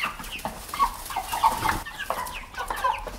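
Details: Domestic hen or pullet clucking, a run of short, broken clucks with small rising notes, fairly dense and overlapping, as if from several birds, with a soft background hiss.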